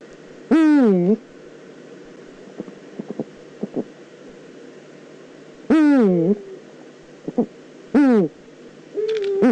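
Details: Eurasian eagle-owl in the Eifel, 9 September 2014: three loud, hoarse, harmonic calls, each about half a second long and falling then slightly rising, spaced roughly two to five seconds apart, with a fainter fourth note and scattered clicks.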